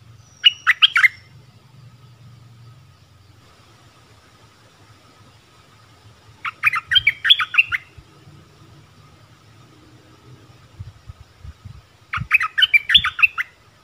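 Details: Streaked-eared bulbul repeating a short jumbled, bubbly phrase three times, about every six seconds, with quiet stretches of faint background hum between the bursts.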